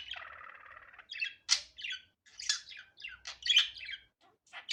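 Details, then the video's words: Budgerigar natural calls, unedited: a buzzy, grating warble for the first second, then a run of sharp, bright chirps and squeaky notes in quick, uneven bursts, with a faint low hum underneath. "Muhabbet Kuşu Doğal Sesi"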